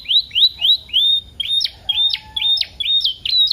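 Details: Canary song in the pancingan kenari paud style, full of isian, played to stimulate canaries to sing: four rising whistled notes, then a run of short sharp chirps at an even pace.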